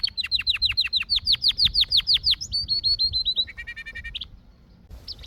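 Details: Canary song opening with a rapid series of about twenty sharply down-slurred whistled notes, followed by short level whistles, a buzzy pulsed trill, and a brief high note after a pause.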